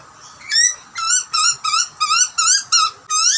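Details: Hungry wild butcherbird chick in Australia screaming for food as parents feed it: a run of loud, harsh, rising-falling screeches, about two per second, each rich in harmonics.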